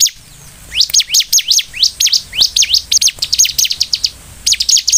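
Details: Lure recording of a Bar-winged prinia singing to provoke other prinias. After a quiet start, a fast, continuous stream of high, sharp, upward-sweeping chirps runs for about four seconds, with brief gaps between bursts.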